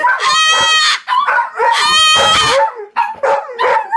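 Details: A pet cockatoo screams loudly at home, perhaps calling out to the neighbours: harsh, ringing screeches at high pitch and full volume, two long ones of about a second each broken by shorter squawks.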